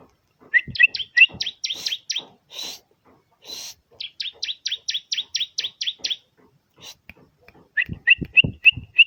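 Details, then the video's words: Bar-winged prinia (ciblek) song, played to make other ciblek sing: long rattling series of high, sharp, down-slurred notes in several runs, ending with quieter paired chirps and a few clicks. "BURUNG CIBLEK Mu bakal ..langsung ikutan bunyi"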